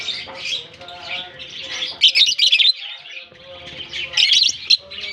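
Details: Many lovebirds interacting after release into their summer colony in Germany; shrill overlapping chirps and twitters, with clusters of louder rapid squeaks at about two and four seconds.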